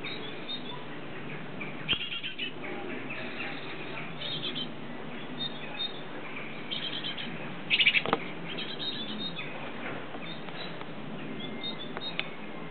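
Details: A young great tit, the second fledgling to leave its nest, gives a scatter of thin, high chirps and twitters throughout, with a louder burst near the end over a steady background hiss.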